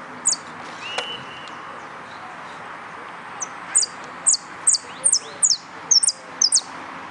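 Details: Yellow canary entered in a singing competition, delivering sharp, very high chirps that sweep downward, starting sparse and then repeating about twice a second in the second half, over a soft background hiss.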